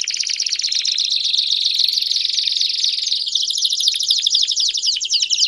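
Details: Belgian canary pouring out a continuous, intense song of fast rattling trills and chattering notes, high and shrill, changing tempo midway, with a faint steady hum underneath.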